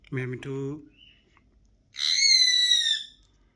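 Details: Pet parrot talking with its owner indoors: a man speaks a short phrase, then after a pause the bird answers with one loud, bright, harmonic utterance lasting about a second, squawky and slightly falling in pitch.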